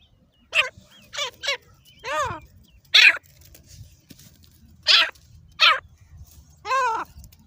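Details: Captive Desi Dakni grey francolin, a hand-fighting bird, giving short, loud, harmonic calls, some rising then falling, in irregular bursts about once a second with gaps, over faint low background rumble.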